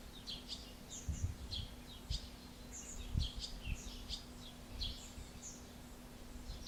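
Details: A pair of Barn swallows (Hirundo rustica) feeding a chick in Alzira, Valencia, late June 2016, give rapid, high, scratchy chirps in quick bursts, several per second, over a low hum and occasional thumps.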